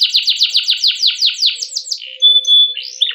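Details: Canary song used as a lure for training canaries: a fast series of about fifteen downslurred whistled notes, then a flat pure tone and a short warble.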